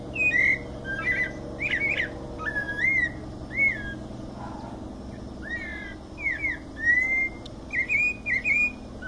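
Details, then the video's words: Mateiro song of a white-necked thrush in São Paulo state, Brazil: lively whistled phrases, slurs and short trills, run almost continuously, with faint high calls and a low background hum. "Sabia coleira canto mateiro SP"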